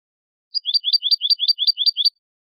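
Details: European goldfinch song in the clean 'quejas y adornos' style, used to teach young goldfinches and goldfinch hybrids to sing. Eight identical bright, high, slurred notes form a fast even trill lasting about a second and a half, set against silence.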